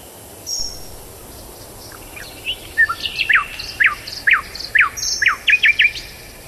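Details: Tailorbird calling, a run of sharp, loud notes that sweep quickly downward, repeated about twice a second and growing faster and denser toward the end, over a quiet hiss.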